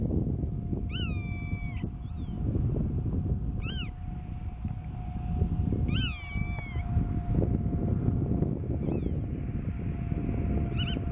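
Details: Black-tailed godwit, Marken, June 2020: repeated drawn-out nasal calls, the longer ones trailing off in a descending tail, in bursts every two to three seconds, over wind rumble and a faint steady hum.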